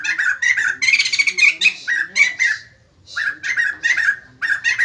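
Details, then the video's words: White-crested laughingthrush singing energetically, prompting other birds to respond: bursts of rapid, chattering whistled notes mixed with harsh squawks, broken by a short pause near the middle. "BURUNG POKSAY JAMBUL GACOR BIKIN YANG LAIN NGRESPON"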